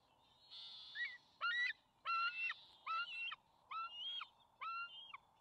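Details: Juvenile bald eagles at their nest on May 28, 2020, as the father lands with fish and the two young birds scramble for it; a rapid run of six or seven loud, shrill, harmonic squeals, slightly wavering, with faint chittering between them.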